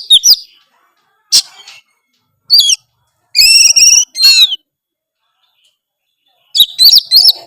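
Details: Oriental magpie-robin in full song packed with varied phrases: short bright whistled bursts and dense buzzy warbled strophes with stacked high notes, separated by brief pauses, clean with no other sounds.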